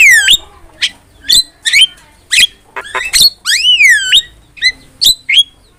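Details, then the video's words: Javan myna song meant to teach and provoke other songbirds: spaced sharp chips and downslurred whistles, including a long falling swoop, with brief pauses between notes. "MASTERAN JALAK KEBO GACOR"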